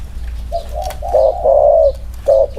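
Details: Male spotted dove in a two-bird cooing comparison; two short soft notes lead into a long, loud, drawn-out hollow coo, then two quick clipped notes. Faint high chirps sound in the background.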